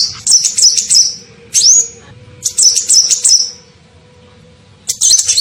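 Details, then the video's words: Lure call of a sunbird (kolibri ninja), used to attract birds. Very high chattering phrases and one rising whistled note come in bursts separated by quiet gaps of about a second. "SUARA PIKAT KOLIBRI NINJA"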